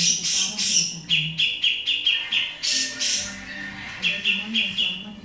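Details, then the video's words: Grey-cheeked bulbul giving loud, harsh, noisy chattering bursts, repeated about three times a second, with a faint voice speaking underneath. "cucak jenggot berisik"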